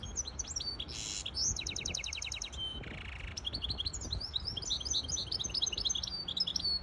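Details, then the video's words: Hybrid goldfinch singing to teach young birds and excite a female goldfinch into mating: a bright, fast twittering song of high liquid notes, rapid trills and a buzzy rattle, almost without pause over a low indoor hum. "تغريد طائر هجين الحسون"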